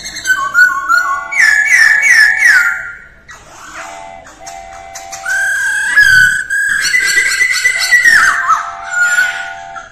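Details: Masked laughingthrush in early-morning voice training, delivering fast varied whistled phrases, rising slurs and buzzy chatter, with a steady lower tone and a brief thump midway.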